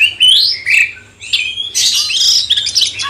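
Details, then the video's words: Cucak cungkok bulbul master song meant to stir up a magpie-robin: sweeping whistled phrases rising and falling, then a dense burst of chattering, high notes. "Masteran cucak cungkok bangkitkan emosi kacer"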